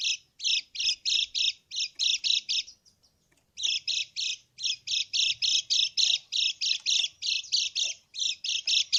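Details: Krekek call of a lemon-bellied white-eye, played as a lure to prompt reluctant birds to sing and answer. Fast series of rasping, buzzy notes, roughly three to four each second, broken by one short gap near the start.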